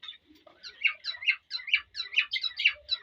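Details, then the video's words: Male cockatiel singing and whistling to a female to stimulate mating: a run of warbled, slurred whistled notes repeated about twice a second, each note sweeping up and down in pitch, with a few lower soft notes at the start. "تغريد وتصفير ذكر كالوبسات للأنثى يحفزها للتزاوج"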